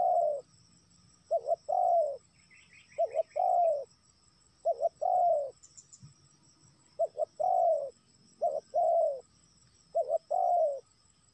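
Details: Spotted dove lure call aimed at wild doves, seven phrases over the stretch, each a short double coo and a long falling coo, with a brief high trill and light insect-like hiss behind.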